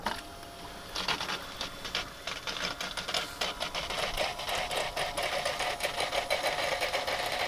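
Rapid mechanical clattering, like a sewing machine running, continues throughout, with no animal sound heard.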